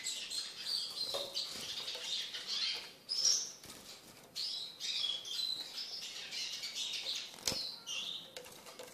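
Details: Eurasian siskin kept in a cage and trained to feed from the hand, delivering a long run of twittering phrases with buzzy trills and a sharp squeak, broken by brief pauses.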